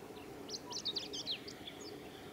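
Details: Male chestnut-eared bunting singing at Yashigahara marsh on 15 July 2018: a quick phrase of short, high, chirping notes that run together over about a second and a half, with a faint low hum beneath.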